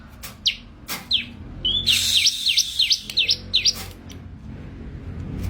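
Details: Bar-winged prinia (ciblek) giving a few sharp clicks, then a fast series of high, slurred downward-upward chirps at about three per second, tailing off into quiet low background rumble.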